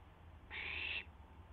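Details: Barn owl owlet exercising its wings shortly after midnight on April 12, 2016, on a live camera. One rough, breathy screech of about half a second rises above a quiet low hum.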